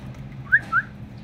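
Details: Cockatiel giving two brief, clear whistled notes about a quarter second apart, the second slightly lower and longer, over a faint low hum.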